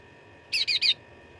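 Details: Cucak ranting fighting song for training contest birds: three quick, bright, slightly slurred notes in rapid succession.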